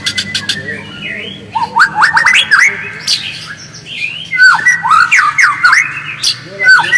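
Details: Lure recording of a white-rumped shama singing in its natural voice: opening sharp ticks, then loud varied whistles with rising and falling slurs, phrases pouring out in quick bursts with short pauses.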